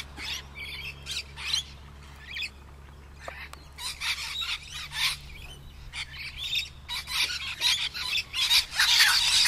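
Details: Rainbow lorikeets in the trees, filmed on a Canon Powershot S5 IS: a flock's rapid, overlapping raspy screeches building to a dense, loud chorus, with low background hum.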